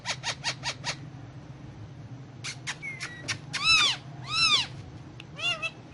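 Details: Indian ringneck parakeet talking in Urdu/Hindi while on pillows: a few rapid clicks, a pause, then clicks and a thin whistle leading into loud, rich arched harmonic syllables like garbled speech, over steady room hum.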